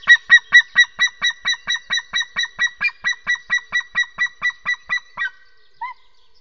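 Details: White-tailed eagle at its nest on April 28 while its first eaglet is hatching, giving a fast yelping series of about two dozen sharp, clear notes, roughly five a second, that fades out; a single softer note follows.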